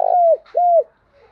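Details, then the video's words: Spotted dove decoy call used to lure doves. The end of a rolling coo and then one clean level coo, both dropping off at the finish, over a quiet background. "Tiếng Cu Đất , Cu Cườm Gáy Gọi Kích Bổi"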